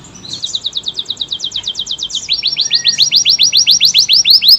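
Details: Canary, AF type, singing long continuous song: fast repeated descending trills, each phrase a rapid series of high sweeping notes, shifting from one trill to a louder, slightly lower trill midway.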